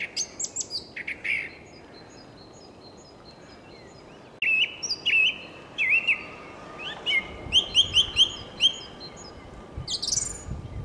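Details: Evening skylark song from Ameland: high clipped notes, a short pause, then a run of whistled, twisting phrases that climb higher and end in bright sharp notes over a constant low hiss of wind and surf.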